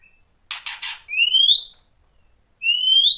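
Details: White-rumped shama provoking song: three quick dry clicks, followed by two long, pure whistles that rise steadily in pitch, each lasting about half a second.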